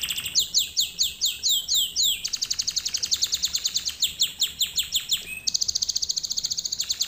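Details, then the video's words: Canary song offered as a lesson for other canaries to learn: rapid high trills of repeated swooping notes, shifting every second or two into faster buzzy rolls, clear against a faint hiss. "Canary Singing - lesson 36"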